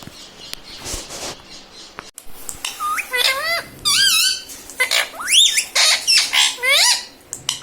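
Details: Pet parrot at home mimicking words such as "mummy" and "papa"; breathy noise first, then a run of sharp, whistled, swooping syllables with bending pitch, several per second, in a small room.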